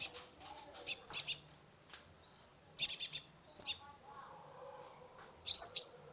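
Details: Sunbird (kolibri ninja) chattering song played for a stressed caged bird: bursts of quick stuttered high chirps, a short rising whistle, and a final bright upslurred note, with soft lower murmurs between.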